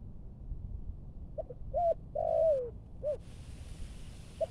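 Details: Malaysian-strain spotted dove kept as a decoy-training bird in Bình Dương, Vietnam, giving a thúc gù cooing phrase: two short soft notes, a longer falling coo, then a clipped note, over a low background hum.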